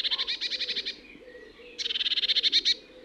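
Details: A Eurasian blue tit, an acrobatic garden bird, gives its snicker-like scolding call: two bursts of rapid, buzzy, harsh churring notes, about ten per second, with a soft hum underneath.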